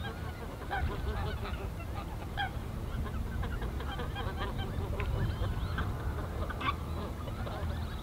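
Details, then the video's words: Chorus of greater white-fronted geese recorded at 14:50 on 17 February 2019 in the Ahsewiesen reserve, Germany; steady overlapping high yelps and honks from many birds, with a strong low-frequency rumble beneath. "Greater White-fronted Geese (Anser albifrons) / Blässgänse"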